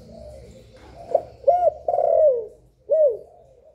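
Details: Spotted dove cooing to stimulate other doves: faint low murmurs, then a sharp note, a hooked coo and a long downward-sliding coo, closed by another hooked coo.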